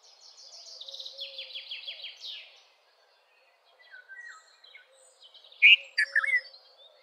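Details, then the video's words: Red-vented bulbul gives loud, bubbly notes near the end. Before that, another bird delivers a fast falling series of high chips, followed by a pause and soft whistles. "Red-vented Bulbul Song ! Red-vented Bulbul Call ! Red-vented Bulbul Sound! Red-vented Bulbul Vocals"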